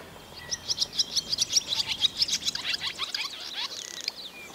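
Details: Barn swallow chicks in their nest over the doorway of a milking parlour, filmed with a Sony DV camera on a rainy day: steady, evenly spaced high chirps building into a busy, shrill twittering chorus, then tapering off.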